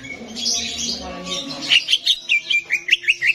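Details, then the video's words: Greater green leafbird song played to a caged competition bird to raise its mood: a burst of buzzy high chatter, then a run of about eight rapid, clear whistled notes, each dipping and rising. "SIMULASI DI ARENA LOMBA CUCAK IJO"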